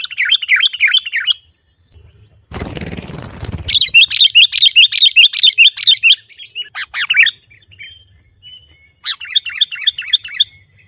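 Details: Energetic sooty-headed bulbul chirping: bursts of quick, bubbly repeated notes, interrupted once by a loud crackling noise, then a long chattering run and shorter phrases, with a faint steady high tone throughout.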